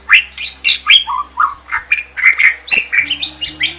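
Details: Jalak, a starling, in vigorous song used for tutoring songbirds: a continuous varied medley of whistles, warbled slurs and harsh squeaky notes with no real pauses.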